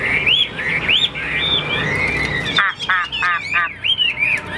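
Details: Caged Chinese hwamei, a fighting bird shown spreading its wings, singing smooth arched whistles, then a burst of harsh rasping notes, and finally more bright looping phrases.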